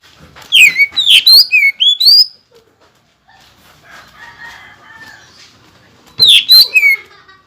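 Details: Greater green leafbird in full song with rapid 'shots' and mimicked material meant to provoke other leafbirds: loud whistled sweeps and chirps in a dense burst, a quiet pause with faint chatter, then another sharp whistled volley.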